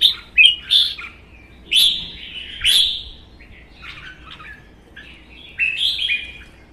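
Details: A singing contest between two caged red-whiskered bulbuls, one a wild-caught adult: short, sharp chirps, louder whistled phrases about a second apart, then softer twittering and a final warble.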